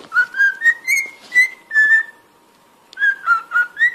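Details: Cockatiel song meant for teaching another bird to sing: a tune of clear whistled notes stepping gently up and down, a pause of about a second, then four more notes.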